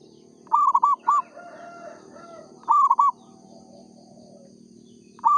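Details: A vigorous song from a local zebra dove, called perkutut: rolling phrases of four quick coos repeat about every two seconds over a steady low hum, with softer mellow notes in between.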